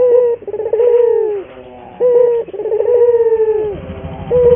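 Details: Vigorously singing local puter dove, played as lure and training song for other puter doves: deep throaty coos, a short opening note then a long rolling coo that drops in pitch, repeated twice in steady succession.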